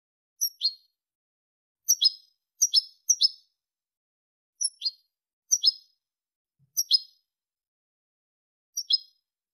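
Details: Malaga-style European goldfinch notes for tutoring goldfinch and hybrid chicks: crisp, high double chirps, about eight bursts over nine seconds at uneven intervals, on a silent background.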